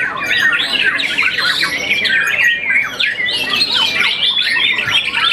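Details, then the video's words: Young white-rumped shama, moulted once and a contest winner, sings an energetic, unbroken medley of chattering chirps and bright whistles. "murai batu muda mabung satu kali"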